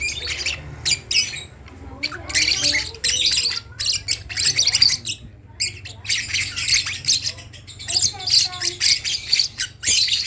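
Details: Lovebird chick practising its first sounds, giving dense clusters of scratchy, buzzy squawks in uneven bursts separated by short pauses, over a constant low background hum.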